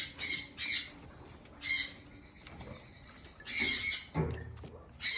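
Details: Blue eared pheasant eating green grass, repeating short harsh squawks, mostly in pairs, separated by quiet stretches; a brief low knock sounds near the end.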